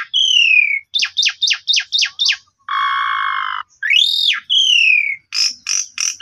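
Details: Asian pied starling song aimed at rousing a sulking starling, phone-recorded: falling whistle, a burst of five sharp downslurred notes, a long buzzy rasp, an arched whistle and closing chips.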